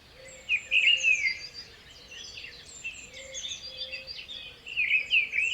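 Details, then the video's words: Parrot giving short, harsh, grating call bursts near the start and again at the end, over a constant chorus of high twittering birds, with a soft low hooting note repeating in the background. "natural parrot 🦜 sound"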